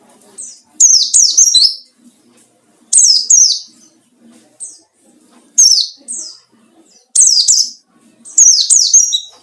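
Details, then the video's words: White-eye ngalas song used to lure and challenge rivals: five clusters of rapid, high, falling whistled notes spaced roughly every one and a half seconds, with faint background murmur. "burung pleci ngalas cari lawan//ampuh buat pancingan"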